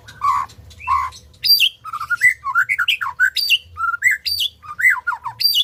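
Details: Song of a white-rumped shama, meant to coax non-singing birds to sing. Loud, lively phrases mixing mellow whistles with harsh, squawking notes and sharp high clicks, delivered in rapid bursts throughout.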